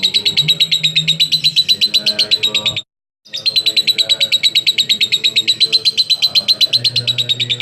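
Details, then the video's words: Long lovebird 'ngekek' chatter, known as konslet, played to lure other lovebirds into singing; fast, evenly pulsed high rattling trill that carries on almost without pause, broken once by a brief silence, with faint low voices beneath. "LoveBird Konslet Ngekek Panjang Terbukti Ampuh Pemancing Love Bird Ikut Ngekek"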